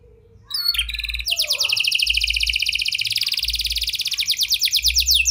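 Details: Canary singing vigorously in a prenjak and lovebird style, played to get jammed canaries singing: a few short chirps, then a loud, sustained, rapid high trill that slowly gains volume.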